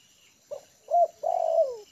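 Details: Spotted dove trained as a lure, comfortable on the ground, sings one mellow phrase: a brief quiet note, a rising-falling coo, then a long, slowly descending coo.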